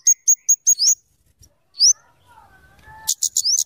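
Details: Scarlet-headed flowerpecker, locally kemade or cabe cabean, in song used to lure and tutor birds: a row of crisp high ticks ending in an upward slur, one lone slur, faint lower warbling tones, then more rapid ticks.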